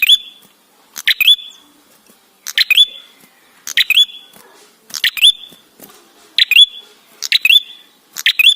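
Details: Ashy tailorbird song used as a lure: a long run of seven matching phrases, each opening with crackling clicks and finishing on a bright, upward-sliding whistle with a sustained tail, spaced a little over a second apart.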